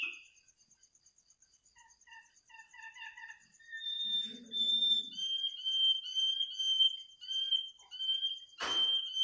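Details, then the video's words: Bird singing at midnight: rising run of short repeated whistled notes, then longer clear whistles held level, ending in a sharp burst, over a steady high pulsing insect trill. "kicau burung di tengah malam"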